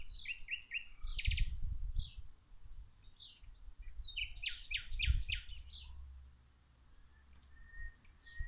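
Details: Birds singing during plant watering outdoors: bursts of quick high chirps and short trilled notes cluster in the first half, then fade to a few thin whistles, with low watering noise underneath.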